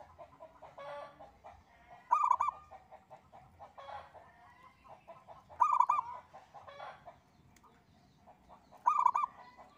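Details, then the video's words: Engkel song of a local zebra dove, intended to prompt other birds to sing: three short, vibrant trilled coos about three and a half seconds apart over a busy background of softer bird calls. "Kutut Lokal Gacor‼️ENGKEL Untuk Pancingan Bunyi"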